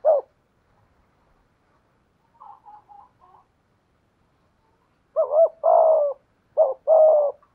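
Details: Decoy spotted dove with 'thổ' and 'thúc gù' cooing challenging a wild dove: one isolated coo, faint broken notes, then a loud pair of deep two-part coos, each a clipped note followed by a held one.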